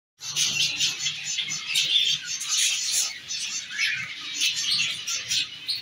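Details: Half orange zebra finch pair, an exhibition-size male and female kept as caged pets, with dense, high-pitched chirping and twittering running without pause through the whole stretch, many short notes overlapping, over a faint low hum.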